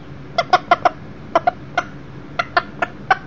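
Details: Young Millefleur d'Uccle rooster inside a house with a broody hen, chicks and a second hen; clucks arrive in small groups of two to four sharp notes with brief gaps between.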